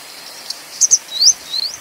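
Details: Grey wagtail (Motacilla cinerea) giving a pair of shrill, clipped high notes, then two thin rising slurred whistles, the second longer and fainter. A brief tick comes before them over a quiet, even background.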